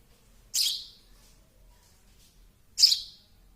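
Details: Two loud, high, hissy chirps from a baby sparrow a little over two seconds apart, each a short burst fading away.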